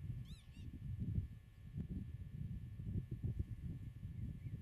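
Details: Common redshank at its nest on farmland meadow, filmed from 8 m during nest monitoring: two loud, arched, ringing calls at the start, then steady low rumbling wind noise.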